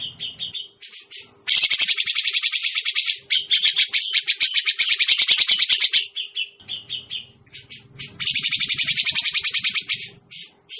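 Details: Grey-cheeked bulbul lure sound for bird trapping: several loud rapid rattling bouts of harsh buzzy notes separated by brief pauses and softer short calls, with a faint low hum in places.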